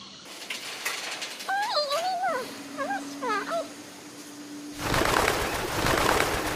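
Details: Rainbow lorikeets in Australia, at a favourite feeding spot eating sunflower seeds, give a quick two-second run of soft, warbling chatter with rising and falling notes, then a burst of wind or handling noise.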